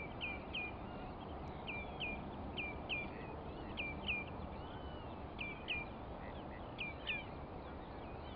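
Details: Black-tailed godwit at the Arkemheen, Netherlands, partly filmed at sunrise, giving quick, nasal, paired notes roughly every half to one second over a steady low rush of wind and background noise.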